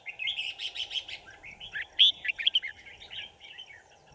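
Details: Red-whiskered bulbul used as a decoy in a trap to lure wild birds, recorded 5 January 2018: bright, rapid whistled notes and chirps in quick bursts, with a loud sharp whistle midway and a steady low hum throughout.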